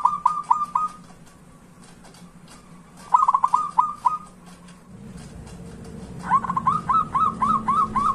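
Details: Zebra dove song used to coax reluctant doves into singing: short runs of quick, repeated rolling coo notes, three phrases separated by gaps, the last louder and longer over a low droning background hum.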